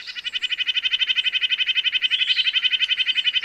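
Red-breasted nuthatch giving a fast, steady run of nasal, tinny notes, about eight or nine each second, in a high pitch with no other sounds.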